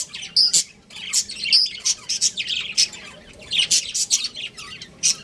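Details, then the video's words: Chattering breeding pair of pet budgerigars: dense, scratchy high chirps and short whistled squeaks coming in quick succession with few gaps. "Cute Budgies Chirping Sounds | Budgies Breeding Pair"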